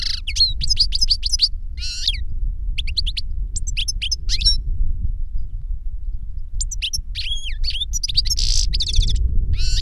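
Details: Caged European goldfinch, the master or its trained novice pupil, performing reclamo song. Bursts of sharp, ringing twitters and short trills separated by pauses, over a steady low mechanical hum.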